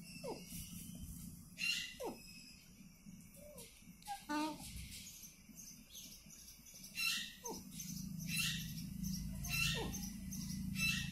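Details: A talking Indian ringneck parakeet (rose-ringed parakeet) speaks short, scratchy, word-like phrases with sharp rising squawks in irregular bursts, over a low room hum and faint voices.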